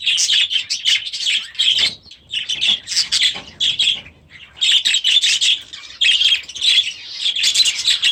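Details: Grown young budgerigars in their new aviary chatter loudly in rapid bursts of sharp chirps and buzzy warbles, with short gaps between phrases.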